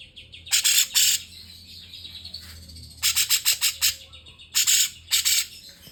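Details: Grey-cheeked Bulbul (cucak jenggot) singing in cungkok fashion: rasping, scratchy bursts in quick runs of several notes, separated by pauses over a faint low hum.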